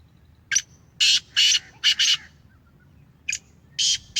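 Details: Caged Sindhi Gangas Black francolin, Sheedi strain, giving a harsh, buzzy grating call of clipped bursts, a pause, then the bursts resume in a second burst-laden phrase.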